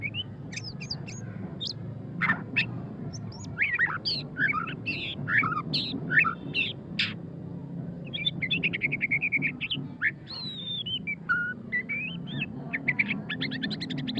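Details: Ngeriwik-style song of a white-rumped shama (murai batu pastol): rapid varied whistles and sweeping slurs, then a long fast trilled rattle and chattering notes, delivered continuously against a low background hum.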